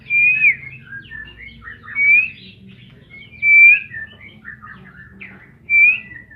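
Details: White-rumped shama (murai batu) of the Medan type repeating a loud, pure, slightly rising whistle about every one and a half to two seconds, with softer warbled notes between, over a faint low background rumble.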